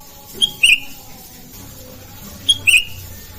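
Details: Morning calls of a sooty-headed bulbul, heard as two short groups of sharp chirpy notes roughly two seconds apart over a soft, steady low background.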